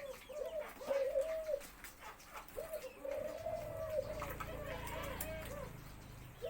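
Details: White-coloured spotted dove of uncertain sex, not yet laying, gives its four-note cooing crow of low, mellow coos run together and repeated, with several other doves cooing at once, chick sounds and faint background voices.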